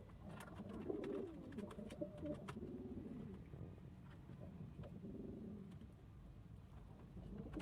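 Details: Low, burbling coos from kept domestic pigeons, several birds calling in overlapping rolling phrases for several seconds, with occasional sharp clicks and rustles.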